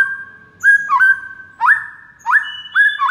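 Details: White-rumped shama song played to make other shamas respond: rich two-toned whistles with rising slurs, delivered in phrases roughly every half second, clean and loud.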